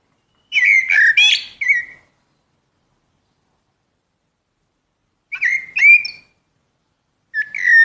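Common blackbird giving three bursts of bright, chattering whistled notes, about a second and a half each and several seconds apart, against a silent background.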